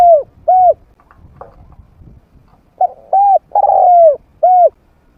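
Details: Spotted dove, a trained bird with a mid-pitched voice used to lure wild doves into fighting. Rounded hollow coos, then a full phrase with a drawn-out descending coo, clipped and loud, over faint background rustle.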